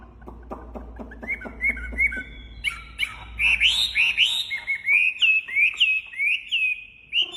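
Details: Wambi bird, actively singing: a series of soft clicks and short notes first, then a lively string of loud rising-and-falling whistles.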